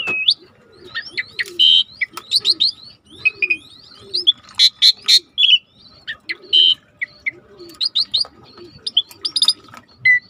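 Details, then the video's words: Lure song of the Asian pied starling, meant to set off a stalled bird. Loud chattering whistles, squeaks and sharp upsweeps come in bursts over a steady background of soft, repeated dove cooing. "tembak burung jalak suren yang macet bunyi"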